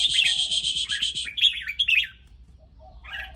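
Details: Excited, teasing red-whiskered bulbul: a dense buzzy rattling chatter for over a second, then bright whistled chirps and short warbled notes, with a quieter scratchy burst near the end.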